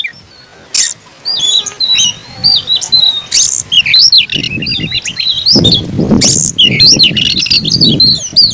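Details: Oriental magpie-robin, a caged kacer, singing an aggressive fighting song: loud varied whistled phrases, rising and falling slurs and harsh squawky notes with scratchy bursts, over low rumbling background noise.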